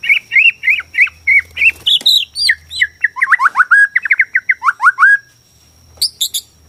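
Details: Singing white-rumped shama, Borneo variety, meant to provoke rival shamas; a flowing phrase of slurred whistles stepping downward, rapid and varied, ending with a few high ticks after a short silence.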